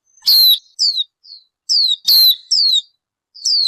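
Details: Bird calls: loud, high, downslurred whistled notes with sharp broadband clicks, given in spaced bursts roughly every half second to a second, with short silent gaps between them.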